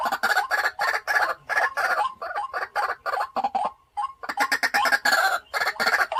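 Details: Harsh, rhythmic croaking from a caged white-breasted waterhen used as a decoy. Loud bursts repeat steadily, with a short gap and a softer wavering note before the series resumes.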